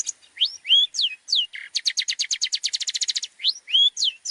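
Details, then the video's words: Long-tailed shrike tutor song for training other birds. Slurred high whistles and one low harsh note lead into a fast, even rattle of sharp notes, then more rising and falling whistles. "PANCINGAN MASTERAN BURUNG CENDET | FULL ISIAN MEWAH"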